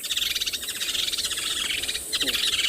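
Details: Woodland Kingfishers at Tswalu Kalahari Reserve, South Africa, at sunset on 30 November, calling from a tree overhead, probably a courting male and female, later four birds; high, rapid overlapping trills falling slightly in pitch, repeated without pause.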